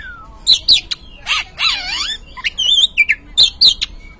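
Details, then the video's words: Oriental magpie-robin song used as a lure to provoke an untrained caged bird to sing: quick sweeping whistles and loud buzzy chirps in short bursts, with a downward-slurred phrase in the middle. "Pancingan Burung Kacer Bahan"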